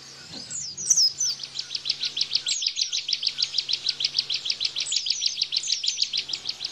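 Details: Bar-winged prinia giving Bren-style 'tembakan' song, used as a tutor for white-eyes: after a sharp opening slur, a long run of high, clipped, downward chips repeated roughly three times a second.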